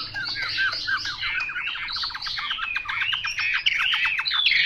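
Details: Chinese hwamei delivering a fast, dense stream of short staccato notes and harsh, slurred whistles, almost like chatter throughout.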